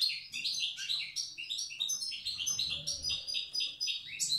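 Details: Tiaret European goldfinch giving the old-language wild goldfinch song: a fast, unbroken run of liquid twittering and tinkling high notes, with a faint low hum underneath.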